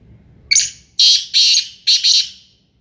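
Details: Sindhi black francolin, a bird in training, giving a harsh, grating call: one short rasp followed by two loud scratchy notes, a pause, then two more, all high and buzzy over a faint low rumble.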